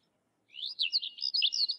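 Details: Sykes's lark singing: a short run of quick, high warbled and slurred notes after a half-second pause, with no other sounds.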